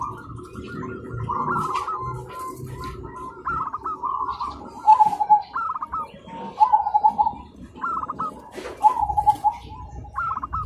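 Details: In the morning zebra doves answer one another with repeated stuttering trilled coos, many short phrases in close succession and overlapping, growing louder and more insistent toward the end, with soft low background noise.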